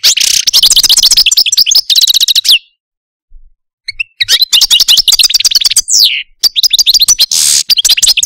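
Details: Caged Algerian Parva goldfinch, a pet male, gives rapid trilled phrases and sweeping notes, pauses for over a second, then continues with dense twittering trills and a buzzy burst.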